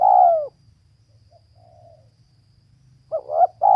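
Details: Female spotted dove: a long husky coo fades out, then after a soft murmured note a new phrase begins with two short clipped notes and a drawn-out coo, over a steady low hum.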